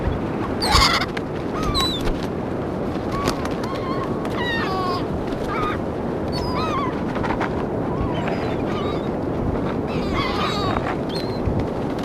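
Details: Gulls being fed on St. Augustine Beach, Florida, in 2016: several short, squealing, rising-falling calls scattered through the stretch, heard over a constant loud roar of surf and wind.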